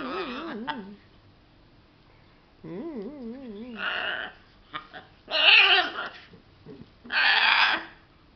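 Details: Pet macaw at play with its favourite towel; wobbling, undulating tonal calls alternate with loud, harsh, raspy squawks in separate bursts, with short quiet gaps between them indoors.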